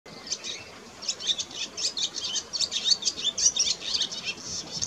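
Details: Wild barn swallow singing, recorded around mating: a fast, continuous high twittering of scratchy chirps and warbled notes, rising and falling in short bursts, over a faint hiss of background noise.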